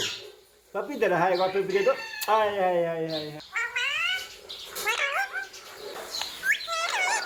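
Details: A pet rose-ringed parakeet (Psittacula krameri) talks in a clear, slightly nasal voice, repeating short words like "mummy", "papa", "mithu" and "quickly", then gives brief shrill whistles.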